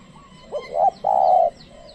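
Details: Spotted dove used as a lure bird to call in wild doves: a short, soft, low cooing phrase of two hooting notes, the second long and level, over faint background rumble.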